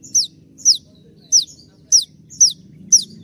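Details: Konin sounding 'tembakan' shots, a master for training cage birds: six bright, high, downward-sliding notes at a brisk half-second rhythm over a light low background hum.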